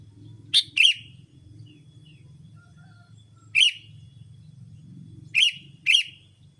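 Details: Sooty-headed bulbul lure call used to attract bulbuls: short harsh chirps, often in quick pairs, given at irregular gaps of about three seconds over a low steady hum.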